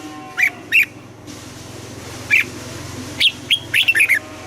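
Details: Red-whiskered bulbul in Vietnam trained for morning singing in the double-note style of an old forest bird: scattered single whistled notes, then a quick rolling phrase of five rising and falling whistles, over a low hum.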